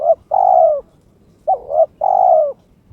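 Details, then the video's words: Kept spotted dove in breeding condition, calling to challenge a rival: two cooing phrases, each a short doubled note then a long, steady, slightly falling coo, with a clear pause between. "TERKUKUR TOKCER SUARA KRISTAL MENGUNDANG LAWAN/My turtle dove chirps challenging its opponent"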